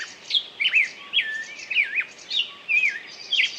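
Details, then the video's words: Songbird singing a lively run of clear whistled phrases, each note sliding and twisting high in pitch, delivered in quick bursts about every half second with short gaps, over a quiet background. "пение птицы"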